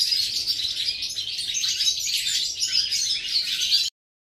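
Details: European goldfinch, 11 September 2018, pouring out fast tinkling twitters and buzzy chirps in a dense, steady stream that stops abruptly into silence just before the end.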